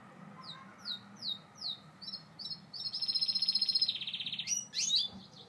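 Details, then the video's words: Gloster canary singing: a series of quick, high, downslurred whistled notes, then a buzzy rapid roll held for about a second, ending in sharp chirpy flourishes. A low hum sits underneath. "Gloster Canary Bird Singing"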